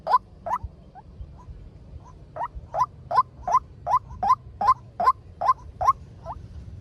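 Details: Male white-breasted waterhen lure call for trapping, played fast: a series of short, upward-sweeping hollow notes, about 14 in all, mostly steady at roughly two to three per second, with a brief faint gap near the start.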